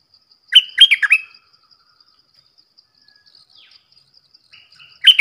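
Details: A Red-whiskered bulbul gives a quick, bubbly phrase of three or four whistled notes, pauses several seconds, then starts again. Faint steady insect ticking runs underneath.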